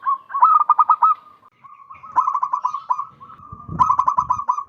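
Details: Strong-voiced wild zebra dove used to attract others for trapping, delivering repeated rattling coo phrases, with soft low thumps near the end.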